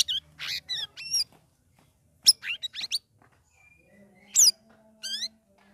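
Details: Sooty-headed bulbul kept caged and trained by ombyokan for three weeks, giving ngeriwik ngeplong song: short clusters of buzzy chirps and rising whistles separated by quiet gaps, plus a faint steady low tone.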